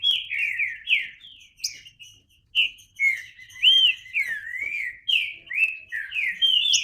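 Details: Green-winged saltator delivering loud, clear song: bright whistled notes sliding downward, some rising and falling, strung together in lively phrases with brief gaps.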